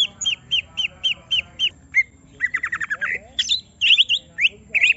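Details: Greater green leafbird, a kept bird provoked to reveal its full song, opening with seven evenly spaced whistled notes, then a rapid buzzy trill and mixed high chirps.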